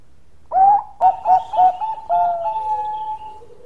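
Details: Zebra dove of the Bangkok type, singing a long song: a rising lead note followed by a quick run of rolling coos, ending in a drawn-out, sustained cooing tone.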